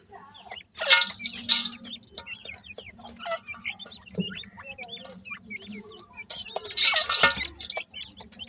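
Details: Francolin chicks during summer call in a busy chorus of high, rapid, downward-sliding chirps, joined by loud scratchy rustling bursts and a low mechanical hum.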